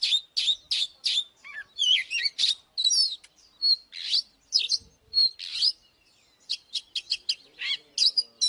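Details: Oriental magpie-robin fighting song, varied bright whistles, chips and rasping notes in fast phrases, a brief lull near the middle, then quick sharp chirps resuming to the end.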